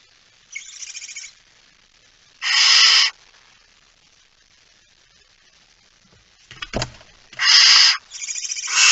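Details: Feeding at the nest, a Barn owl on 19 September 2019 at 05:28 gives a few scattered harsh hisses separated by long quiet stretches, with a scraping bump before the last loud pair.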